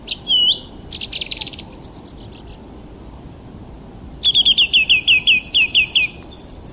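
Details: Bird chirping: high rapid buzzy trills and whistles, then a run of about ten quick identical looping chirps, over a constant low hiss.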